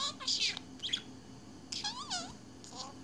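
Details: Budgerigar kept as a pet, chattering away: a few high chirps and a wavering, bending warble, separated by short pauses over a low room hum.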